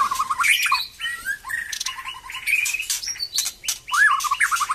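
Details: White-rumped shama, a bird starting to sing vigorously again after moulting, giving varied clear whistled phrases around mid-high pitch with quick rising and falling notes, interspersed with harsh broadband chacks and rattles.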